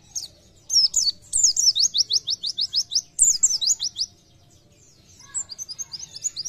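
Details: Oriental white-eye in rapid 'gacor nembak' song: brief high twitters, then a long rattling series of evenly spaced sharp chirps, a pause, and a softer run of chirps at the end.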